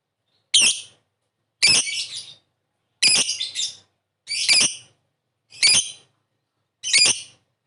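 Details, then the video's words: Lovebird calls used as a lure for a quick response: six harsh, high, scratchy squawks, some doubled, spaced roughly every one and a quarter seconds with clear silence between. "Suara burung Lovebird memanggil di sertai ngetik ngekek pancingan labet cepat respon"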